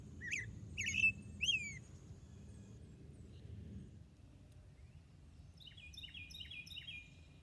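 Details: American robin song recording played during a morning bird walk in Northern Virginia woods, Mid-Atlantic: three quick, clear caroling phrases, each rising then falling, then a faster run of thin descending notes over a low background hum.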